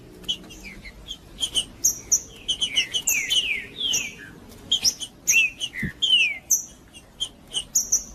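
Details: Rufous-bellied thrush warming up in song, mixing high sharp chips with rich whistled descending slurs in bursts spread across eight seconds, one brief low thump midway, and a low steady hum behind.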